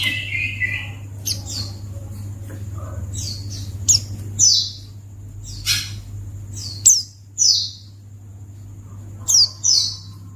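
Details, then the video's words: Sparse high white-eye chirps played to draw a reply from other white-eyes, arriving singly or in pairs every couple of seconds, with a thin steady tone and low hum in the background. "Pleci Akan Langsung Merespon Memancing Bunyi Burung Pleci"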